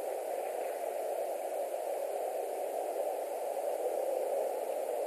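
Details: Continuous even hiss of static noise throughout, with no bird or other animal voices heard.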